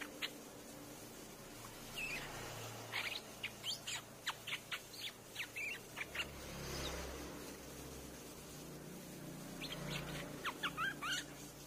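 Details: Streak-eared bulbul, sound played to attract birds. Irregular clusters of short sharp chips and a few slurred notes spread across the clip, with quieter gaps and a faint low hum underneath.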